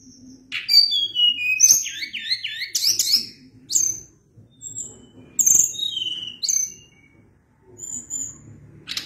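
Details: Tledekan gunung (Sunda blue robin) in vigorous extended song: fast warbled runs of looping whistles, high chirps and scratchy bursts with brief pauses, ending in a sharp harsh note, faint low hum behind.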